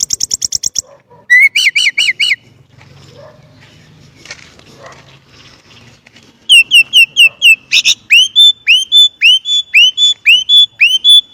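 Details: Song of a Chinese blackbird: short buzzy trills and stuttered notes, a quiet low murmuring pause, then a steady run of clear, looping whistled notes repeated about four times a second.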